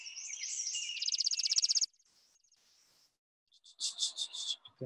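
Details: Chipping Sparrow song, described as a long dry trill made of many individual whistles in a row: a fast, even series of high pulsed notes lasting about two seconds, then a shorter burst of high pulses after a pause.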